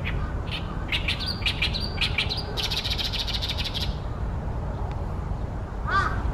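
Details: Oriental great reed warbler singing loudly from tall tree branches beside a reed pond in Ashiya, Japan, on a fine late-May day in 2020: a rapid run of harsh, grating, chattering notes for about four seconds, then a brief separate call.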